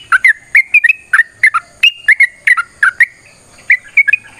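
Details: Caged sooty-headed bulbul with a long fighting song used to draw replies from other birds; lively, slurred whistled notes in quick pairs and triplets, rising and dipping, with a brief pause near the end.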